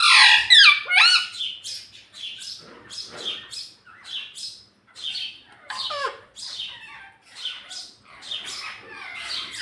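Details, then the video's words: ['A pet talking parrot chatters in a run of short, scratchy squawks and chirps, repeated roughly twice a second. The loudest burst comes at the start, followed by quieter, uneven calls.'] "Mummy bolne wala tota - Talking Parrot"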